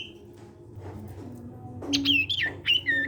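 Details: An ashy tailorbird (sirtu) of the cipow type, singing to encourage other sirtu birds, gives a few clear whistled notes, some dropping in pitch, after a quieter start with low background noise.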